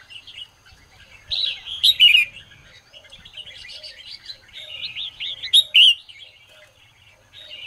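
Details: Red-whiskered bulbul singing at dawn: two separate bursts of sharp, ringing whistles about four seconds apart, each set within a stream of lower, wavering warbles.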